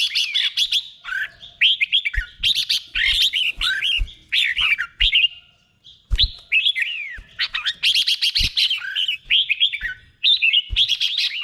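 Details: Doubled 'beun' song of a red-whiskered bulbul, slow and clear, for caged birds to imitate: repeated bouncing warbled phrases, each a cluster of rising and falling whistles, separated by brief pauses over about eleven seconds.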